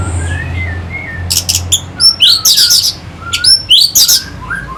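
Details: Orange-headed thrush singing to stimulate fighting birds: soft low whistles give way to loud rapid sweeping whistled notes and harsh bursts, several phrases per second, with a faint background hum.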